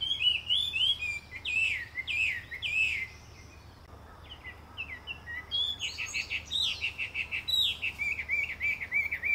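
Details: Chinese hwamei song: bright, liquid whistles with swooping inflections, delivered in rapid, irregular strings. A short quiet gap comes before a second burst of more varied, twisting notes, over a low rumbling background.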